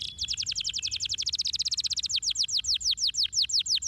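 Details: Canary singing a long trill of sharp descending high notes, quick at first then slowing to spaced chirps, over a constant low rumble.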